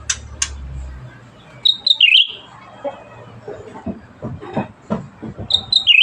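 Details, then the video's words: Cucak ranting bulbul singing actively, giving two short whistled phrases of high notes that drop into a quick warble, separated by a stretch of low murmuring and scattered knocks. "Burung Cucak Ranting Gacor"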